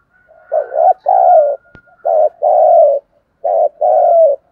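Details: Three loud two-part coos from a spotted dove in the 'thúc gù' lure style with a deep earthy voice, each a short burst followed by a longer, slightly descending note, spaced about a second and a half apart.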